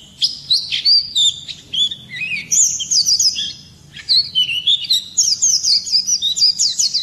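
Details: White-eye singing in the morning: a lively, high-pitched warbling of quick twittering and sliding notes, with short breaks between bursts and a brief pause near the middle.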